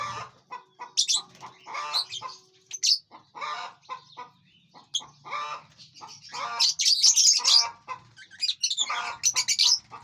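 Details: Busy aviary of feeding, flying lovebirds: a near-continuous chatter of overlapping shrill chirps and squeaks, rising into dense flurries toward the end, with rustling and wingbeats underneath.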